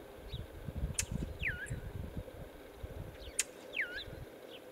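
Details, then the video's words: Alarm calls of a brown thrasher in Northern Illinois: two sharp clicks, each soon followed by a downward-slurred whistle that drops then briefly lifts, with faint higher notes and low rumbling background noise. "Brown Thrasher Alarm Call"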